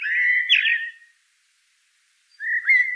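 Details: Common blackbird song fragment: a sustained smooth whistled note with a brief higher flourish, followed after a gap by another short mellow whistle; softer and quieter than nearby phrases.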